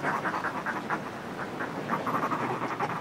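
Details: Groups of Northern fulmars displaying on cliff ledges, heard close: short bursts of gruff, chattering cackles, several in quick succession, over a constant hiss of sea wash.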